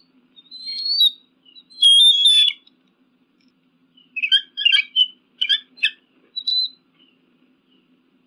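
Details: An eagle calls with two whistled cries, the second loud and harsh, then a quieter string of short, clipped chattering notes and a last thin whistle.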